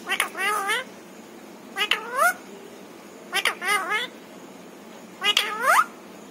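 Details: Household parrot mimicking human speech, known to say papa, mummy and Radhe Radhe; four separate two-part spoken phrases with rising, wavering tones, spaced about every one and a half seconds, indoors with little background noise.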